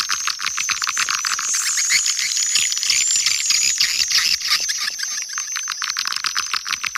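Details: Swiftlets from Kampar, Riau, giving the calling and roosting sounds played to draw birds in. Rapid dry clicks rattle several times a second beneath a constant wash of high, twittering chatter.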